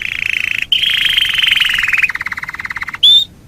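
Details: Canary song for a training master recording: dense buzzy trills at mid pitch, shifting into a steady pulsed trill, ending with a single clear whistled note.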